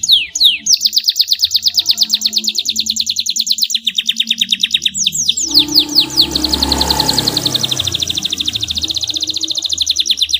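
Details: Canary in clear, nonstop song meant to coax silent canaries into singing: long even trills of quick repeated notes shifting in speed, with a soft rushing noise underneath midway.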